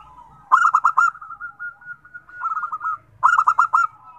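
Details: Zebra doves (perkutut, local birds) singing, one bird's song setting the others off: loud cooing phrases of four or five quick pulsed notes at about 0.5, 2.4 and 3.2 seconds over a steady thin background hum of other doves.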